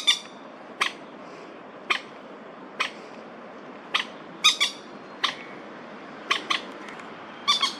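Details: Territorial dispute between two male crested goshawks in Da'an Forest Park on 30 September 2022: harsh, clipped notes repeated about once a second, sometimes doubled, over a constant low hiss.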